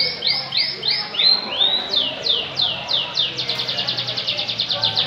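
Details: Canary singing in Samarinda: rolling tours of fast repeated high notes, first slow downward-curving whistles, then quicker, tighter trills at about four per second and rising in pace toward the end.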